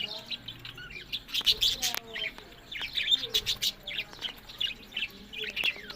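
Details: Pet budgerigars in a breeding setup give clear, separate high chirps and squeaky notes in rapid bursts, over a softer background of chatter.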